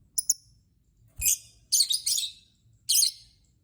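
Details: Lovebird chirping to lure other lovebirds into singing: two quick thin ticks, then several long, harsh, buzzy shrill screeches run together, and a last screech after a pause.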